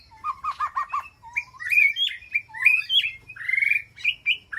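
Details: White-rumped shama calling to its flock inside a peaceful aviary; a run of five quick repeated notes near the start, then rich whistled phrases, rising and falling, with buzzy slurred notes.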